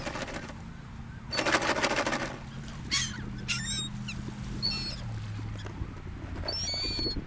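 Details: Seagulls on a sandy beach by a gulf, among people: several high, thin, wavering cries with stacked overtones at intervals, over a steady low rumble of surf and wind, with a loud broadband burst early on.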